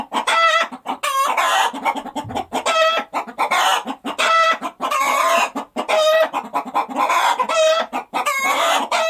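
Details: A chicken calls after laying an egg, repeating loud, nasal, stretched squawks about once a second, broken by short clipped clucks in between, steady and insistent throughout.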